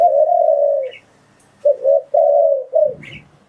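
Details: Spotted dove call played to lure wild doves: a long level coo, a pause, then a short double coo and another long falling coo, with a faint higher chirp twice.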